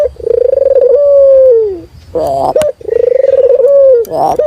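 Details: Ringneck dove of a local type giving two full coos, each a rolling trill easing into a sustained falling note, with a rough, broken burst between them and a faint steady hum behind.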